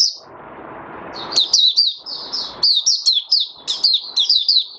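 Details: Oriental white-eye, a kept bird, singing its opening song on the fifth day after monthly deworming: high, thin twittering notes in quick rising-falling slurs, with a low rumbling noise in the first second and in brief gaps.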